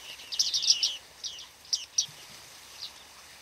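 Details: Bearded reedlings, a small flock in autumn at Flamingo Lake, Shirvan National Park, Azerbaijan, on 8 November 2013; a quick burst of high, twangy chirps, then several single pinging notes spaced apart.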